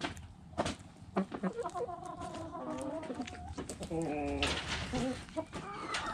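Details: Hens in a backyard flock cluck and give drawn-out harmonic complaining calls, several stacked phrases overlapping from about one to five seconds, with a soft low hum and scattered clicks.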